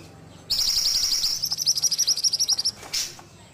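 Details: An ashy tailorbird gives a single high, fast trill of about two seconds. Sharp notes tumble in quick succession, then fade, followed by one short extra note.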